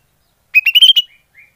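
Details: Greater green leafbird lure call: a single quick burst of five rising chirps, followed by two faint, thin whistles.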